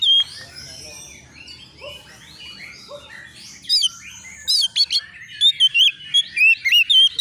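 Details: Agitated young Oriental magpie-robin answering a rival: soft mixed chattering and warbling at first, then loud, sharp whistled notes repeated quickly with sweeping rises and falls in the last few seconds.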